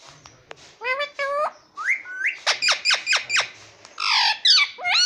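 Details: Pet green ringneck parrot talking indoors, repeating its mimicked word with harmonic, voice-like syllables, then a run of sharp squawky chirps repeated about every quarter second, ending in raspy calls.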